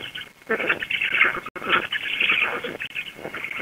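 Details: Black stork returning to its nest and feeding its chicks, 16 June 2021 at 19:34, Łódź, Poland: harsh, wheezy, hissing sounds in two long ragged bursts, broken by brief pauses.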